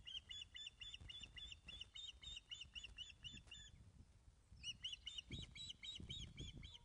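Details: Webcam sound from a Scottish osprey nest at Loch of the Lowes, 19 May 2012, 10.27am, as fish is brought in: quick repeated piping chirps about four a second, a brief pause near the middle, then the series resumes, with bumping and knocking noises below.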